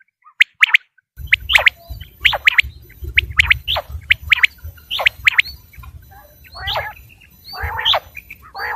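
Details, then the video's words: Quail calling, recorded as a hunting lure in Pakistan: short sharp chirped notes in quick groups, repeated steadily, over a low rumbling background hum that starts after the first second. "Batair ki Awaz | Quail Voice"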